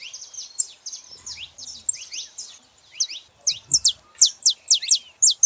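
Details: Saffron finches in a free, wild gathering: a run of soft chirps gives way to loud, sharp, high downslurred notes repeated in quick succession, several birds overlapping.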